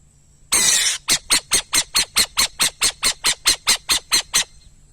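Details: Burrowing owl calling: a loud, harsh half-second burst, then a steady run of about fifteen short, rasping, broadband squawks, roughly four per second, evenly spaced and ending abruptly.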